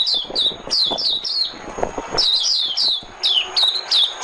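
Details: Oriental white-eye decoy song: quick high chirps sliding downward, delivered in tight bursts of three to five notes with short pauses between, bright and sharp over faint low background noises.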